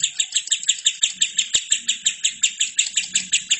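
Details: Lovebird in full, lively song, used as a training recording for other birds: rapid, high, bright chirps repeated about three times a second in an even, chattering series, with faint low background noise.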